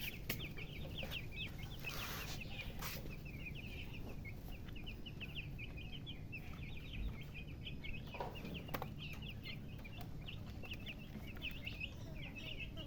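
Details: Chickens chirping with a hen present: a steady stream of short, high, rising peeps, many per second, from several birds, over a constant low rumbling background with a few clicks and knocks.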